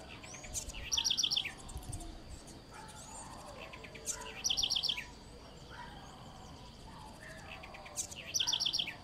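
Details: House wren (Troglodytes musculus) singing short bright phrases of high, sharp, rapidly repeated notes, each phrase ending in a quick run of four or five clear chips, repeated roughly every three and a half seconds over steady outdoor background noise.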